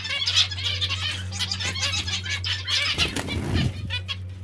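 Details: Zebra finches or Bengalese finches in a bath, in captivity. Continuous nasal chattering notes, with a burst of splashing near the end and a steady low hum.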